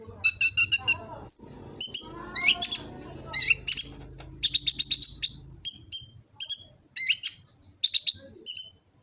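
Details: Sunbird known locally as kolibri ninja, Gresik, East Java, song captured on a smartphone to master other birds: dense high twittering and sharp ticking notes in quick succession over a faint low hum.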